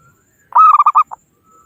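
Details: Zebra dove of a local wild strain calling rivals, used as a lure for trapping: one vigorous phrase of five or six quick, clipped coos with a brief extra note at the end, in a silent setting.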